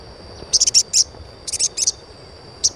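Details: Asian pied starling chirps to coax young starlings into song: a quick cluster of five high buzzy notes, then three more after a gap, and one lone tweet near the end, over steady hum.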